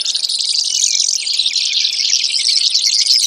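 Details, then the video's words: Brewer's sparrow with a steady stream of shrill, rapid trills, continuous and buzzy throughout. "Brewers Sparrow Sound, Bird Call"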